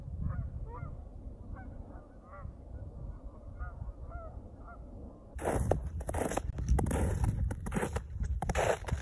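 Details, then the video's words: Waterfowl flying off at sunset over a frozen winter marsh give short, nasal honks in a loose, uneven series over a low rumble, then a loud burst of rushing, crackling noise drowns them out. "the sights and sounds of waterfowl flying off into the sunset"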